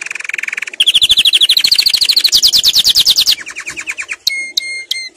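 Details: Canary song played for tutoring young birds: a fast low trill, then a long rapid roll of rising notes, then a quicker lower roll, ending in a few clear, whistled notes that drop in pitch.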